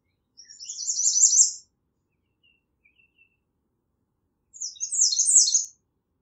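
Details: Two songs from an American redstart, each a quick run of very high, thin, buzzy-sweet notes lasting about a second, separated by roughly three seconds of silence.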